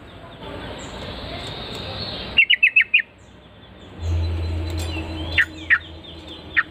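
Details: Yellow-vented bulbul reacting to a lure call: a quick run of five sharp chirps follows a hiss of noise, then three more scattered single notes over a low hum.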